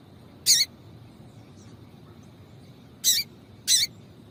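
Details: Three short, bright chip calls from a female yellow-bellied seedeater stimulating the male: a single note, then a quick pair after a pause of about two and a half seconds, with a faint low hum beneath.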